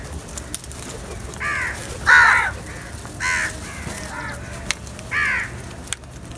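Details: Crows feeding as a group call with hoarse, moderately loud caws, four spaced notes about a second apart, with faint clicks and low background noise.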